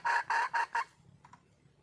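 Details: Wild red junglefowl hen calling for a male: four loud, clipped, nasal notes in quick even succession, then two faint short notes after a pause.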